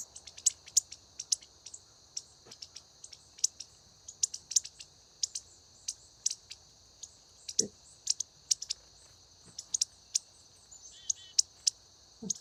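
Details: A young Indigo Bunting gives soft, high 'zeet' notes, about two per second, softer than the harsher adult call notes, over a steady high insect drone, with occasional harsh clicks from a chickadee.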